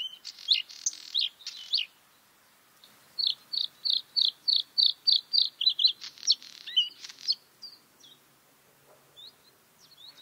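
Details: Bluethroat song: an opening of harsh, rattling, high notes, a short gap, then a rapid run of bright, repeated chirps about four per second, followed by scattered clicks, twitters and thin high notes.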